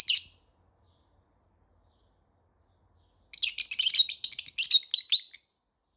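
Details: Morning lovebird calls: one sharp squeaky chirp, a pause of about three seconds, then a fast chattering run of around a dozen piercing, high notes in quick succession.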